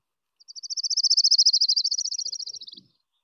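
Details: Orange-crowned Warbler, an early migrant breeding in the Seattle area from April to May, sings a fast, high, slightly buzzy, burbly trill of about thirty notes, like a thumb run down a comb, swelling then slowing and dropping in pitch.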